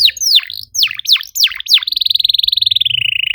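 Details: Canary song used as a lure to stimulate other canaries to sing: a run of high swooping, down-slurred whistles, then a fast even trill holding steady before easing slightly lower.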